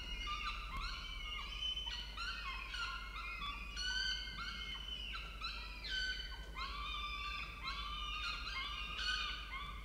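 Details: At the Orange, Australia nest, filmed by camera, the male peregrine falcon brings food amid a dense run of harmonic, nasal calls, with many short downward-slurred notes and longer wails overlapping.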